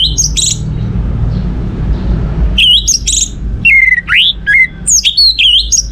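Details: Orange-headed thrush song meant to set other birds singing: loud, varied whistles, some sharply rising, others falling, delivered in quick phrases after a quiet stretch of low rumble.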